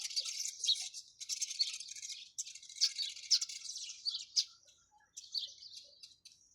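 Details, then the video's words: Busy sparrow chatter: rapid, sharp high chirps packed closely together, pausing briefly before resuming in quick clusters. "চড়ুই পাখির কিচিরমিচির শব্দ Chirping sound of sparrows"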